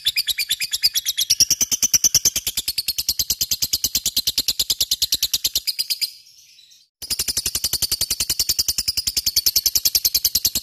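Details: Long lovebird ngekek played to coax lovebirds into answering: a relentless rattle of high chirps, broken by a one-second pause before the chattering resumes just as fast.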